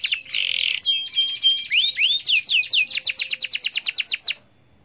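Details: Canary singing gacor, meant to stir other canaries into song: a brief harsh buzz, then rising whistles and a rapid rhythmic series of steep descending notes that stops abruptly.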